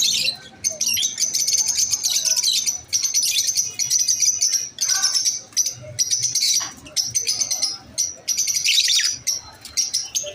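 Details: Shrill, rapid chatter from masked lovebirds, with trilled, buzzy phrases repeating in bursts of about one to two seconds and short gaps between them.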